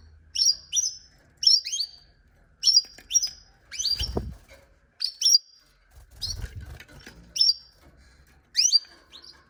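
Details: Canary repeating bright, high, downward-sweeping chirps roughly every second, some in quick pairs, with a couple of low thumps in the background.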